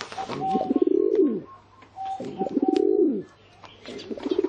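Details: Low rolling pigeon coos, two long throaty phrases that swell and drop away, each about a second long, with a steady faint higher tone and light clicks behind them.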